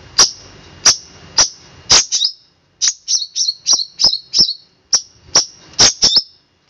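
Long-tailed shrike giving sharp, very high, ringing chips about twice a second, some doubled into quick clipped pairs, with near silence between.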